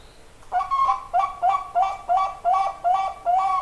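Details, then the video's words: Zebra dove of the Bangkok type sings a rhythmic series of mid-pitched cooing notes, each a short rising-falling double tone, repeated roughly three times a second in an even, rolling sequence. "perkutut bangkok mantap"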